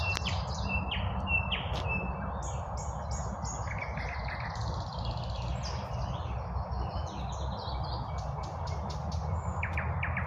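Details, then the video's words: Several birds singing in spring at midday, a mix of high chirps, short trills and whistled notes over a steady low rumble of highway traffic. "BIRDS SINGING- REJOICING IN SPPRING"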